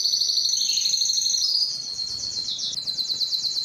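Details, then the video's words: Rolling, water-like trill from a Spanish timbrado canary, held steady for over a second, then stepping to a slightly lower, choppier series of rapid repeated notes. "canary singing timbrado"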